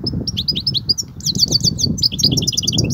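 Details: European goldfinch singing in its Kobia song style: a rapid run of high, twittering trilled notes and buzzy rolls, with a low rumbling background hum throughout.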